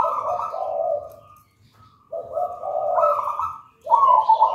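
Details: Local wild-origin zebra dove from a nest in a raja banana plant, used as a tutor: low, layered purring coos in three bursts separated by brief gaps.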